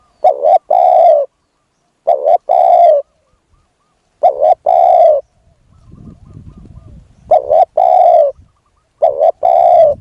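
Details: Spotted dove decoy calling for a wild bird: five coo phrases, each a clipped double note followed by a drawn-out coo, with a burst of low rustling between them.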